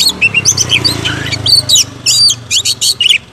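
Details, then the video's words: Oriental magpie-robin in full song, played to stir other magpie-robins into agitated singing: high scratchy chattering notes and thin whistles in quick clusters, quieter and more distant, over a low hum. "Buktikan dengan kicau kacer ini, kacer bakal ngamuk"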